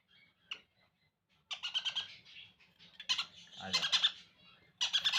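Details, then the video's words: Hand-fed conure chicks begging, with rasping broadband calls rising into louder repeated bursts toward the end. "Hand Feeding Conure Chiks"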